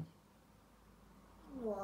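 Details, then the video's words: A talking grey parrot speaks a short Hungarian phrase, "Mindjárt jön a ..." (someone is coming soon), with rising and falling pitch near the end, after a stretch of quiet room noise. "Jákó “ Mindjárt jön a Mónika “"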